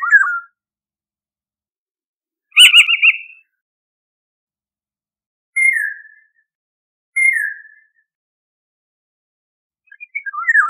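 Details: Eurasian golden oriole alternating a harsh, rattling pulsed call with clear, downward-sliding whistles repeated about every one and a half seconds, plus fluty warbled fragments at the start and end.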